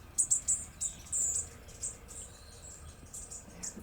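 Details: Bushtits arriving in large groups in a garden on a cold winter morning, flying all around and feeding on tiny insects; very high, thin, twittering notes in quick clusters, some slightly buzzy, fading in and out over faint background noise.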